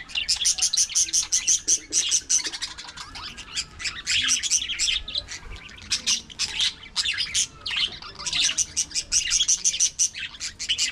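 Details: Many budgerigars in an aviary colony warble and chirp at once, making a steady, fast, scratchy high chatter with quick pulsing notes that continues throughout with only short dips.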